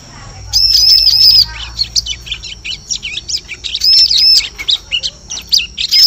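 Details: High-pitched bar-winged prinia lure sound for forest trapping: a dense stream of thin arched whistles mixed with sharp, rapid chips, loud and nearly continuous throughout.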